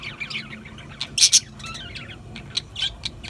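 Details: Budgerigars twittering softly, then a pair of loud sharp squawks, followed by more scattered chirps.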